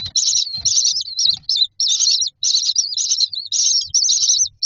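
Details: Nestling common mynas waiting in a row for food in a nest box utter insistent high, wavering, squealing begging notes in closely packed bursts, with soft low thumps beneath.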